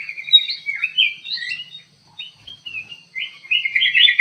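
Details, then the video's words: Kutilang emas bulbul in an aviary singing energetically, with short bright whistled phrases and warbles in bursts separated by brief pauses. The closing phrases are quick and rolling. "KUTILANG EMAS GACOR DIDALAM AVIARY"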